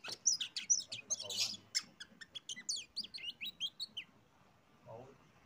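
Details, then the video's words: Oriental magpie-robin (kacer) song played to lure other birds to sing: a quick series of sharp high chirps and whistled notes repeated in choppy bursts for about four seconds, then quiet with a faint low voice. "PANCINGAN BURUNG Kacer biyar ikut bunyi"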